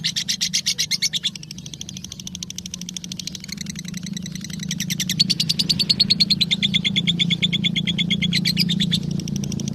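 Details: Lovebird song meant for training other birds: shrill chattering pulses that start softer and grow louder and denser, a trilling rattle over a prominent low droning hum.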